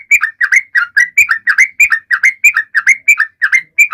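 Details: Sooty-headed bulbul in full song, used to prompt silent birds to sing: bubbly two-part whistled phrases, a high note dropping to a lower one, repeated quickly and steadily throughout.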